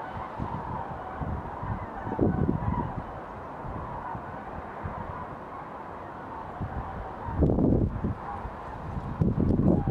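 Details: A passing flock of cranes flying south before rain, 20 November 2022 at 4 pm, gives distant, rolling trumpet-like calls in bursts, loudest near the start and end, over a steady low rumble of wind.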